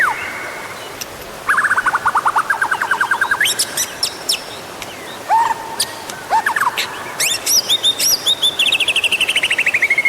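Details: Lure song of the white-rumped shama: a long low-pitched rapid trill, scattered sharp upswept notes and clicks, then a high buzzy descending trill to close.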